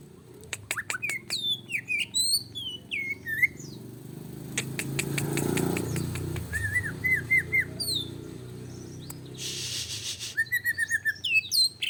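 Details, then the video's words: Excited greater green leafbird song for provoking other birds. Varied chattering clicks and quick twisting whistles are partly masked by a low rumbling noise in the middle. It ends in a harsh, hissing burst and more rapid notes. "Pancingan cicak ijo emosi"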